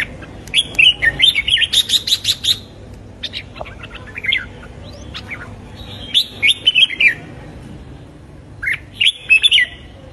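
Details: Red-whiskered bulbul in morning song, used for voice training toward competitive fighting song: three bursts of bright, warbling whistled phrases, quick rising and falling notes, the first longest, separated by quiet pauses with a few soft ticks.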